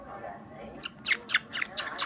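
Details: Oskar, a 9-year-old male pet Pacific parrotlet, makes cuddly noises while accepting beak pets in March 2018: soft, scratchy chirps and clicks, about five in quick succession, after a quiet, murmuring start.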